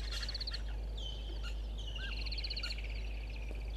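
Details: Shrill, rapid twittering runs of high notes from a pied kingfisher at Gowrie dam waterhole, Djuma Game Reserve, Sabi Sand, South Africa, at 05:11 on 18 December 2021, with a few falling whistles over a steady low rumble.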